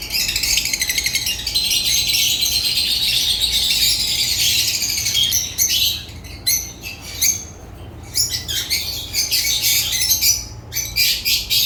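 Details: African lovebirds first in a long continuous shrill chatter, then breaking into separate sharp squeaks and clicks with pauses, all high-pitched.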